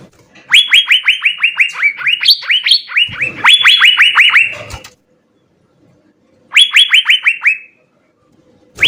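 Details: Asian fairy-bluebird (cucak biru) in vigorous full-filler song: two bursts of rapid, sharply upswept whistled notes, about a dozen in the first, a shorter run of six after a silent pause.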